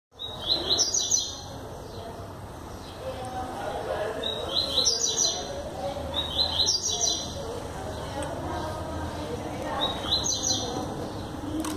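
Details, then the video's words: Yellow-bellied seedeater singing continuously in João Pessoa, Paraíba, Brazil, recorded 21 September 2017: four bright, high, rapid twittering phrases of stacked descending notes, each about a second long, spaced a few seconds apart. Faint lower birds and background hum. "Papa Capim disparado"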